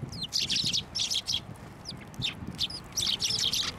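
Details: Sparrows being fed by hand at a Tenmangu shrine on 21 December 2023 keep up a busy chatter of high, bright chirps in quick clumps, some notes sliding upward.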